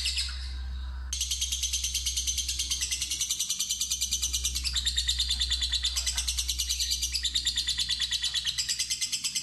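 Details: Inexperienced fighter lovebird answering a long ngekek lure. After a short opening chirp comes a long unbroken trill of fast, shrill, evenly pulsed chatter that steps up and down in pitch, with a steady low hum beneath.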